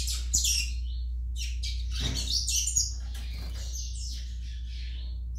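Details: Young Yellow-bellied Seedeater (coleiro baiano) singing: rapid, jumbled high twittering chirps and short buzzy notes in quick irregular bursts, over a steady low electrical hum.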